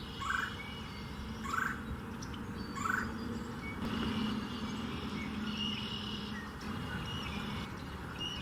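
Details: A male Red-bellied Woodpecker at a nest he is excavating in a dead snag in dune forest, Ottawa County, Michigan, calls for his mate: three harsh, rolling calls about a second apart over a steady wind-like rush.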